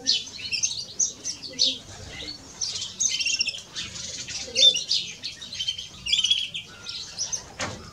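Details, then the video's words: Greenfinch song from a male and a female: busy high twittering and buzzy trills in irregular bursts, with scattered clear whistles and a brief sharp click near the end. "Male and Female of Greenfinch - Cantec de Florinte"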